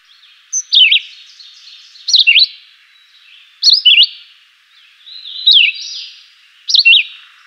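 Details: Chivi vireo song, simple and melodious: five crisp whistled phrases in quick succession, each a rapid up-and-down slurred note pair, spaced around one and a half seconds apart with slight echo.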